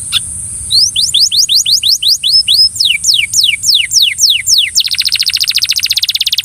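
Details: Belgian canary coaxing a companion canary to sing, delivering a run of about fifteen steep downward-slurred whistles, roughly three per second, then a dense rapid trill, with a constant faint high whine behind it.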